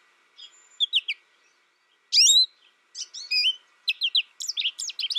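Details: American goldfinch giving scattered high, sweeping chirps, then a loud bright burst near two seconds, followed by a quickening run of thin twittering notes toward the end.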